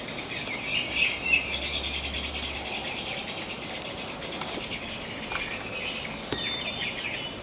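Black-cheeked gnateater: busy, high chattering notes repeated about three times a second, with a few sharper clicks and a faint low hum beneath.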